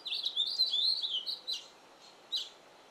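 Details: Male House Finch singing in a yard, at times with its mouth full: a quick, high, rambling warble of slurred and twittering notes for about a second and a half, then a pause and one short, sharp high note.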